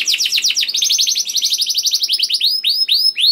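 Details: Young canary delivering a persistent chirping, rolling song to encourage other canaries to sing: rapid downward-sweeping notes running into a fast trill, then slower ringing slurred notes.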